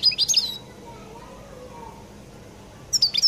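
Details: Distinctive song of a Collo European goldfinch: two short bursts of sharp, high tinkling notes separated by more than two seconds of near silence.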